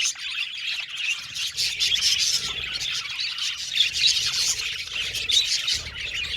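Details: Group of budgerigars twittering, bursts of sharp high chirps and squeaky whistles swelling and fading in uneven waves, busiest between two and five seconds.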